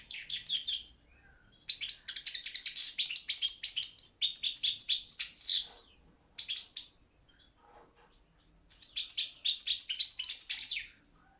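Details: European goldfinch, Balkan subspecies, singing for an internet world championship organised in Serbia; bursts of quick metallic twittering separated by short silences, each burst a dense run of chirps and trills.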